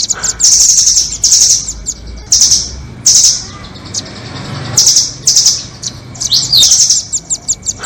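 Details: Velvet-fronted nuthatch, 'doraemon' and red-billed types, in lure audio used for trapping birds: loud, very high sharp chirps and short twittering bursts, repeated in clusters with brief gaps, over a low background hum.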